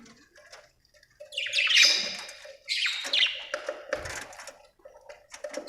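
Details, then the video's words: Budgerigar chirping in loud scratchy chatter bursts with buzzy squawks, over a steady low tone in the background. "Australian beautiful birds sound 😍 budgie chirping sound 🥰"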